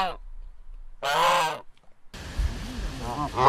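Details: Farm goose giving two nasal honks, a brief one and then a longer blaring call, followed by a burst of broadband noise with softer calls mixed in.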